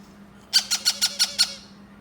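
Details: Yellow-crowned amazon chick being hand-fed by a person. It gives six harsh, raspy squawks in quick succession, about six per second, over a faint steady indoor hum.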